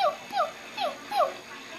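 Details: Cockatiel kept indoors, perched in a liquor cabinet, giving four short descending whistled notes spaced about every 0.4 seconds.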